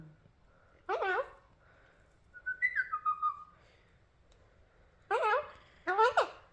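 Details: Alexandrine parakeet mimicking human speech in a small room: a husky spoken burst, then a quick falling whistled phrase, then two more gravelly word-like calls close together near the end.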